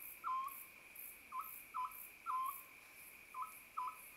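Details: Short, clipped hoots of an Oriental scops owl, singles and quick pairs repeated about every half second, over a continuous high-pitched cricket drone.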